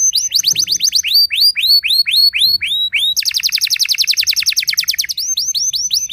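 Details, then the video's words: Canary song aimed at rival canaries: repeated curved whistled notes, slowing slightly, then a very rapid, even trill of sharp notes before faster sweeps resume; clear and high-pitched throughout. "merdunya kicau burung kenari yang membuat galau kenari lain"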